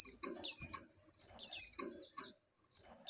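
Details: Breeding-condition female oriental white-eye calling for a male; a few high, thin downward-sliding chirps in two short bursts, followed by a quiet pause with faint rustling.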